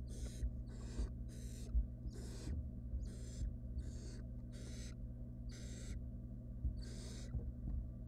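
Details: Begging of wild barn owl nestlings inside a research nest box while their mother delivers a rodent: ten or so rasping hiss bursts, irregularly spaced, with faint knocks and a constant low hum beneath.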